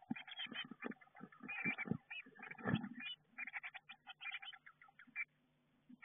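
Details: Eurasian blue tit chicks inside a garden nestbox, getting ready to fledge, recorded by nestbox camera; rapid bursts of high chirping calls overlapping, with loud low scrabbling thumps from movement inside the box.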